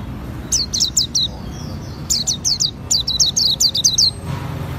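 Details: Oriental white-eye of the auri variety singing ngriwik style: three bursts of very high, crisp downslurred chirps, four to seven notes each in quick succession, separated by short pauses, over quiet background noise.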